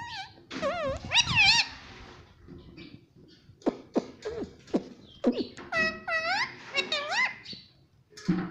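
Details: Pet parrot that talks, saying "Mummy" and "Papa", mixing bent, squeaky voice-like syllables with clicks and rough throaty bursts, ending in several wavering high notes.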